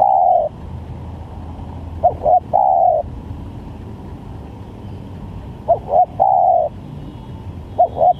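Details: Spotted dove recorded as a trapping lure, giving varied calls: low cooing three-note phrases of two short clipped notes and a longer drawn coo, repeated at irregular gaps over steady background hum.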